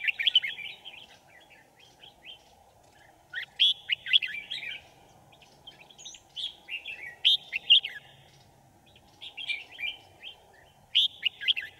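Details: A red-whiskered bulbul used as a decoy sings to lure wild birds into a trap, recorded 5 January 2018. Repeated lively, chattering warbled phrases with sharp high accents come every second or two, with a steady low hum beneath.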